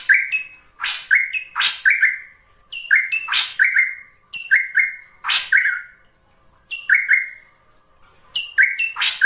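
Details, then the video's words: Ashy drongo of the krantil saeran type, singing vigorously in a lure recording for training birds: repeated bursts of sharp broadband notes, each followed by short flat whistles, with brief pauses between phrases. "SRIGUNTING KRANTIL SAERAN GUNTING GACOR"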